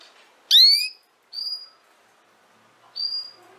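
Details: One loud, rich, descending chirp from a female canary, followed by two thin level whistles spaced over about two seconds, in a quiet setting.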